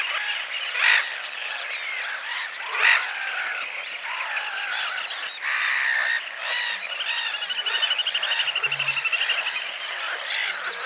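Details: Little grebe (Podiceps ruficollis) singing on a lake in spring: a high, rapid whinnying trill that builds toward the end, over a dense chorus of other high calls, possibly frogs.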